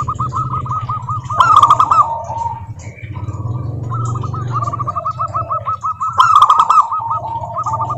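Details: Chorus of local zebra doves singing as a lure to get other doves singing: long runs of fast, bubbling trilled coos from several birds, with louder bursts twice and a faint low hum underneath.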